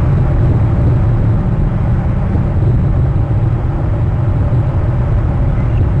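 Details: Steady, loud low rumble like a vehicle engine or aircraft drone fills the whole recording, with no animal calls heard.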